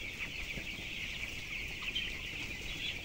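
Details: Broiler chicks, 12 days old and weighing 423 grams, inside a closed house holding 7,000 birds; dense, unbroken chorus of high peeping from many chicks, with a low steady hum beneath.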